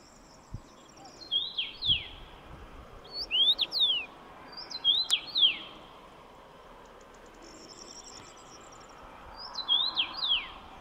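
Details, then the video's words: Common rosefinch sings four short whistled phrases spaced across the recording, each a quick swooping series of liquid notes, in a calm setting. "Çütre - Common Rosefinch - Carpodacus erythrinus"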